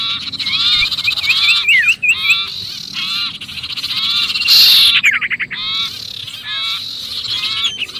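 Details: Sirpu distress call, sounding trapped, used to lure other birds: a run of looping twittered notes, then rapid ticking chatter and a harsh buzzy burst, continuing restlessly.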